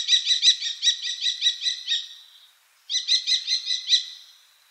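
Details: A common kestrel in the Wittlich valley, Germany, in 2018, gives two rapid runs of sharp, high "kee-kee-kee" notes, about five per second, with a short pause between runs.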